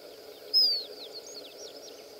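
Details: Tawny-bellied seedeater at Água Doce: one clear, loud whistled note slides downward, then a quick run of fainter short slurred notes follows over a steady low background hum.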